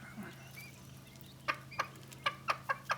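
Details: Cochin hen giving a food call to her newly hatched quail chicks: six short, clipped clucks in quick succession over about a second and a half, over a steady low hum.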